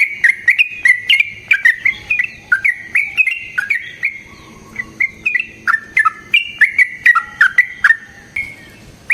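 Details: Long fighting song of a yellow-vented bulbul, played as a lure and for training. Clear, gurgling whistled phrases follow one another rapidly, some notes sliding, with brief pauses near the middle and the end.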